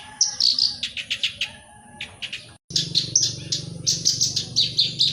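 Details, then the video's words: Black-browed reed warbler singing to prompt other birds to sing: rapid runs of sharp, high chirps and trills, a short break midway, then dense chattering resumes with a low background hum. "Suara Kicau || Burung Kerak Basi Alis Hitam (Sincan) Untuk Pancingan Bunyi"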